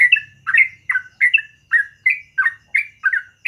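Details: Yellow-vented bulbul (trucukan) singing in the morning, quick chortling two-part notes repeated about three times a second in a steady chattering run.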